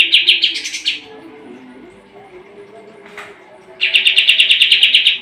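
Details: Sooty-headed bulbul singing as a training song for competition birds: a short burst of rapid, buzzy chirps, a pause of near quiet, then a second fast run of evenly pulsed notes, about three per second.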